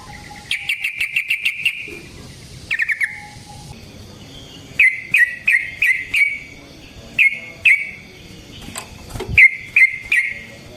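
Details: Yellow-vented bulbul, kept songbird, giving a long fighting song used as a lure to make other bulbuls answer: bursts of bubbly, chattering notes near one pitch, with short pauses and faint clicking noise between phrases.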